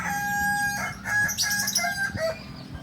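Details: Kokok Balenggek chicken from Solok, West Sumatra, whose crow steps through many tiers, up to 19. A steady held tone gives way to a series of shifting stepped notes at changing pitches, crowing in distinct tiers over low background noise.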